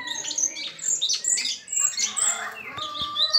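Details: A pair of sooty-headed bulbuls, described as singing actively every day, giving bright, chirpy high notes and short whistled phrases in quick, overlapping bursts, with a few lower tones between them.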